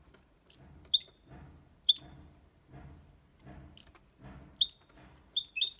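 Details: Goldfinch song in the copia malaga style, meant to encourage young birds to learn; sharp high chirps spaced about a second apart, building to a fast tinkling run, over a soft low rumbling background.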